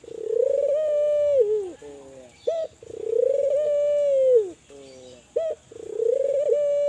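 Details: Kelantan spotted dove calling to encourage other doves to call: long rolling coos repeated about every two and a half seconds, each followed by a lower flat note and a short sharp accent, with steady faint background hiss.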